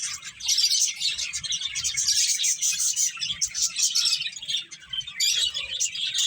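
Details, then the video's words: Chirping finches at play, their high, rapid twitters and short squeaky notes overlapping in a steady chorus that swells and fades slightly. "Beautiful Birds Chirping Sounds | Cute Finches Playing"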